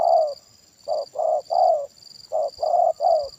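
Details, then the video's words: Spotted dove heard during a decoy trapping session, giving a series of low, hoarse coos in uneven groups, short and longer notes alternating, about seven coos in three and a half seconds over a constant high-pitched whine. "Permainan Tekukur Suara Besar Kuk Satu Ini Luar Biasa"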